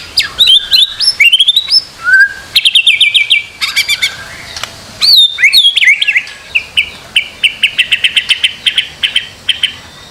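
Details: White-rumped shama master song for training a bird to sing: high sweeping whistles and sharp chips, ending in a long series of quick repeated high notes.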